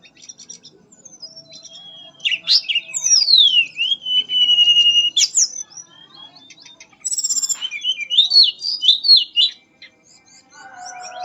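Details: Mangrove blue flycatcher in melodious nyuling song, sweeping whistles falling and rising in long glides, a pause, then a bright burst of high notes followed by twisting warbled phrases and a lower trailing whistle.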